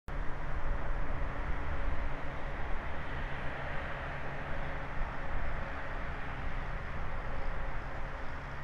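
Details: Constant wind-like roar and low rumble are all that is heard, with no animal sound.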